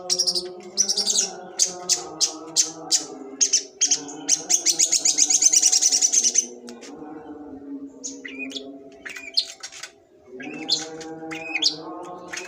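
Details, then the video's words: Rapid volley of high ticking notes from a long-tailed shrike, sembur style, merging into a dense buzzy rattle, then a pause and a few twisting whistled phrases, with low hum throughout. "cendet sembur"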